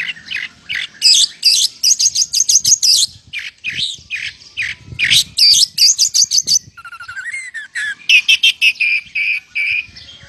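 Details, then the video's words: Energetic song of an oriental magpie-robin filled with lovebird imitations: bursts of shrill, squeaky chirps repeated about three per second, rasping high phrases, a brief falling trill near the middle, then a further run of sharp piercing notes. "Burung KACER GACOR full isian LOVEBIRD"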